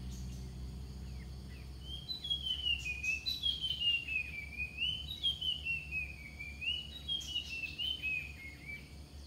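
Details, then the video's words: Ground thrush song played to lure wild birds: a long run of clear, warbled whistles sliding up and down in pitch, some notes sharp and rising, over low rumbling background noise. "นกกรงดิน/กระจาบดินอกลาย เปิดล่อนกป่า"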